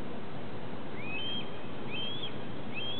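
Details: Two juvenile red-tailed hawks perched on plant science building stacks at Cornell cry at an adult on July 30, 2013, around 8:05 pm: three thin, high whistled cries that rise then level off, about one a second, under a steady low roar.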